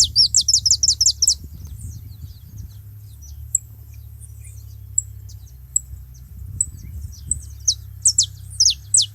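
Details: Saffron finches together at a feeding spot: a fast opening volley of high, descending notes, a quieter stretch of sharp isolated ticks, then more downward-sliding notes at the end, above a low constant hum.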